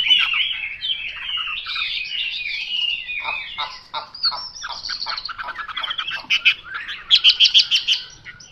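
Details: Chinese hwamei with varied warbled whistles and choppy notes, finishing with a rhythmic series of about eight loud, evenly spaced repeated calls.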